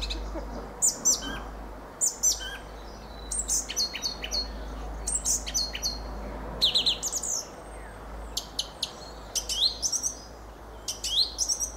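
A fieldfare sings a jumbled, squeaky, chattering warble of short high notes in quick irregular bursts, over a faint low rumble.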